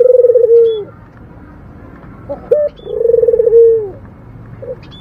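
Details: Low snoring coo of a local puter dove: a rapid, rattling pulse stretching into a sustained, gently dropping tone. Two phrases, separated by a short clipped note, over faint background noise.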